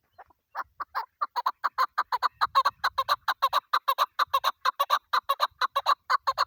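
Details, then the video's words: Female chukar partridge kept for hunting, calling on opening day of the hunt: a few hesitant clucks build into a long, rapid, regular run of hoarse chuck notes, with faint low noise behind. "shikari chakor ki video kekik sesi"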